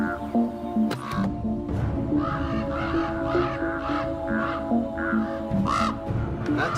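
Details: Common Ravens, parents of chicks at a tree nest in Yellowstone, give harsh, hoarse caws in a quick, uneven string, about two a second, agitated as a person climbs to the nest; steady sustained musical tones underneath.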